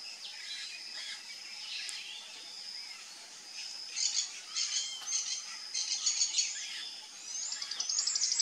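A Sayaca Tanager gives a run of high, thin, squeaky notes in irregular bursts, with a faint hiss of background and other distant chirps.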